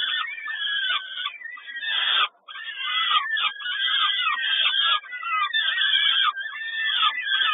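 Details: Kawęczyn peregrine falcon begging at a feeding, 10.05.22: hoarse, rising-and-falling squeals repeated roughly every second or so in an uneven run, voices overlapping, with one short pause.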